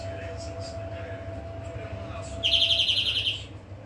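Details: Against a constant low humming tone, a greenfinch delivers one rapid, buzzy-bright trill of about a second, after faint scattered chirps.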